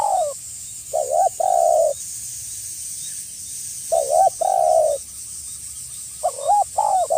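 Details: Tekukur (spotted dove) calling to attract a rival: paired low coos repeated in three phrases with pauses, each a short note then a longer sustained hoot, against steady hiss.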